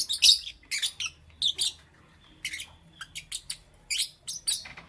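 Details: Lovebirds in green, yellow and lutino colours chirp in the morning: loud, shrill high chirps in short groups of two or three, with a brief lull midway, then rapid repeated notes.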